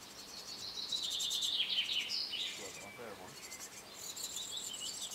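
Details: Great tits, a pair nesting in a birdhouse in summer 2011, parents working hard to feed their young; high thin chirps and rapid repeated notes, with a faint lower call briefly mixed in.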